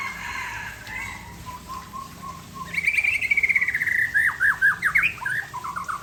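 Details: White-rumped shama, Aceh variety, during a relaxed afternoon: soft low notes at first, then a loud burst of rapid rising whistles followed by sharp descending notes and chattering phrases.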